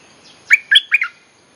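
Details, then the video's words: Bulbul song used to attract wild birds: one crisp phrase of three bubbly, slurred whistled notes, delivered within about half a second, with quiet around it. "เสียงนกดอกแตงEp.183.ฟังกันยาวๆ เพลงหัดลูกเสอ ใช้เรียกนกป่า Suara pikat merbah lekir gacor"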